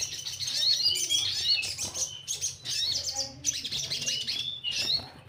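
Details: Orange-headed thrush song, played to make untrained birds sing diligently: a flowing series of varied warbled phrases with sliding whistles and rapid twitters, broken into bursts of about a second.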